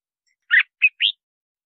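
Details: Red-whiskered bulbul song for luring wild birds and training: three short notes, a husky burst, a brief chirp, then a rising slurred whistle, with nothing else heard.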